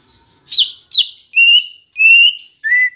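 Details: Green leafbird song meant to make pet birds sing: two scratchy buzzy notes followed by three long, clear, steady whistles, the last one lower.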